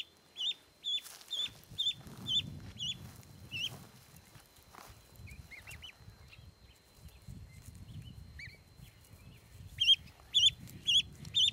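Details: Rescued Canada gosling, saved from nearly drowning in the Applegate River, exploring a backyard; bursts of high, thin, slurred peeps repeated about twice a second open and close the clip, with a quieter gap of soft rustling and low rumble between.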